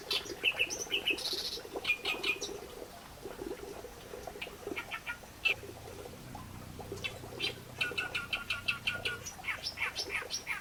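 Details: Reed warbler producing a jerky series of harsh chacks, rattles and high whistled squeaks, pausing briefly midway before resuming rapid chatter. A faint low droning continues in the background.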